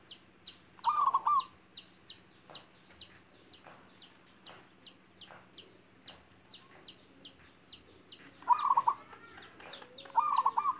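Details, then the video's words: Young local zebra dove of wild stock practising its gayer-style song, close-rhythmed and soft: one rolling stuttered coo early, then two more near the end, with a long gap filled by regular high chirping from another bird. "Perkutut Lokal Alam MUDA BELIA .Ajar Manggung GAYER Berirama Rapat Empuk dan Merdu"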